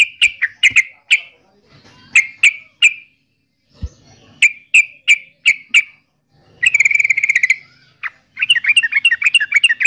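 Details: Yellow-vented bulbul, locally called trucukan, singing: short bright chirped notes in quick groups of three or four, separated by brief pauses, then a burst of rapid bubbling warbled phrases toward the end.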